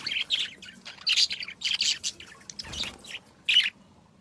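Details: Birds chirping in the morning among flowers, a quick, irregular chatter of high, sharp notes, bursts clustered every half second or so with brief gaps.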